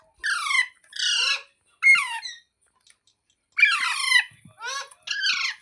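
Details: Parrot indoors producing grating, rasping calls with steep downward slides, in two paired bursts, a long pause, then three more quick harsh squawks.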